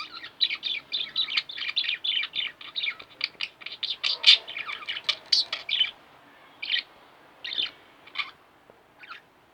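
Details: Two pet budgerigars indoors chattering loudly, a dense run of fast scratchy chirps and warbles that thins into a few separate calls.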